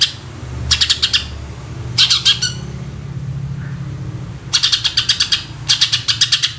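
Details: Greater green leafbird in rapid "tembakan" song, played to lure other birds: clipped rattling bursts of sharp chips, a quiet pause in the middle, then two more volleys, with a low rumbling hum throughout.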